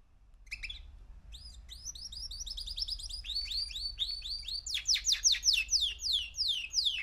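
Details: Young male canary, three months old, building up a varied song from sparse chirps into quick repeated whistled slurs, ending in loud descending sweeping notes.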